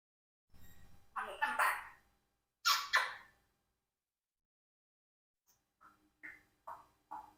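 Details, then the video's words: Four-year-old pet Congo African grey parrot making fake sneezes: two pairs of breathy, explosive bursts, then a run of small clicking squeaks in a quiet room. "Parrot Rocky's Fake Sneezes vs. Real One"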